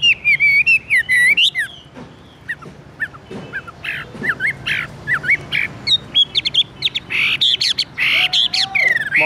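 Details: Caged Chinese hwamei, presented as extremely tame and singing anywhere, gives loud varied whistled phrases with sweeping rising and falling notes and rapid repeated elements, some harsher buzzy bursts, with background chatter.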